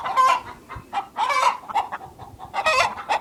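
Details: In a productive hen house, hens cluck and cackle in short nasal bursts. Several voices overlap at a busy, uneven pace, with louder drawn-out cackles rising above the chatter.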